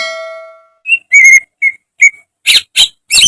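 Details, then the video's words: Greater green leafbird song from a training recording for caged birds, meant to get birds singing often, in a full gacor style with mimicked phrases. A ringing, bell-like tone fades out first, then clear whistled notes near one pitch, followed by three harsh, buzzy bursts. "Masteran cucak ijo agar cepat rajin bunyi~gacor setiap hari"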